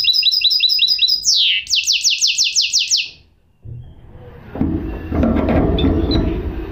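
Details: Song of a goldfinch mule: a fast run of high repeated notes, a downward sweep, then a slower chain of descending buzzy strokes. Bursts of low rumbling noise follow after a short silence.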